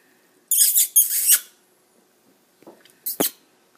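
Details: A male pet red-masked (cherry-headed) conure making excited happy sounds: harsh, raspy screeches in two quick bursts, followed by a few short spoken words like "pretty bird, hello".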